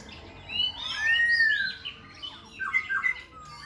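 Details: Khe Sanh laughingthrush singing and dancing with continual voice switching: a loud, long rising-falling whistle with overlapping upper notes, then short, scratchy, chattering phrases and a few quick notes.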